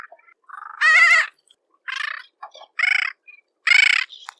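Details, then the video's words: Harsh, grating calls from a bridled tern: a loud wavering squawk followed by several shorter rasping bursts spaced under a second apart, with faint softer notes between. "Крачка бурокрылая. 5 часть. Голоса птиц"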